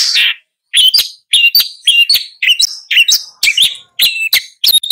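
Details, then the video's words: Long-tailed shrike song: a busy chattering run of short whistled and scratchy notes mixed together, delivered in quick phrases with brief pauses. "Long-tailed Shrike Bird Song, Sound, Call, Chirp, Melody"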